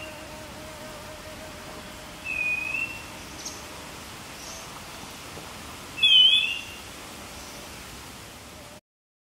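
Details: Streaked wren-babbler in Fraser's Hill, Pahang, Malaysia, June 2023, giving two separate pure whistled notes about four seconds apart, the second louder with a slight dip, above a faint steady hum and scattered soft high notes.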